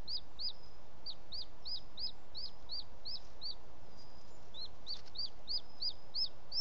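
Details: In Els Ports Natural Park on the evening of 18 June 2017, a male booted eagle arriving at the nest with bird prey gives quick, high, piping notes about three per second, a brief break midway, over constant low hiss.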